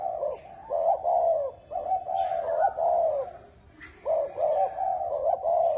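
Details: Spotted dove with a 'bronze bell' voice cooing to call wild birds and excite both sexes: dense, bubbling low coos with small dips in pitch, a quieter gap near the middle, then renewed cooing.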